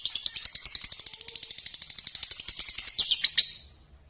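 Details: Six-month-old Balibu Pasjo lovebird in a continuous fast pulsing chatter, a rattling stream of high notes repeated many times a second for over three seconds, ending in a louder burst.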